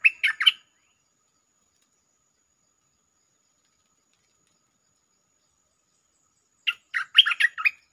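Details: Streak-eared bulbul lure song in the 'Chao Bank' style with doubled phrases: a quick burst of short chattering, whistled notes, silence, then a second, longer burst of bright, varied notes near the end.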